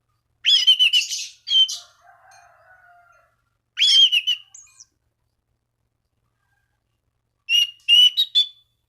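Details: Orange-banded thrush in vigorous song calling rivals, used to prompt other thrushes to sing: three loud bursts of rich whistled, warbling phrases separated by pauses, with a faint low hum between the first two.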